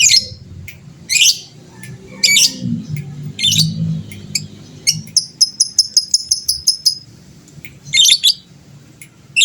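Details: Lovebird of a fighter type, singing to provoke rival birds; harsh buzzy chirps, then a steady run of rapid high ticks, then more rasping chirps.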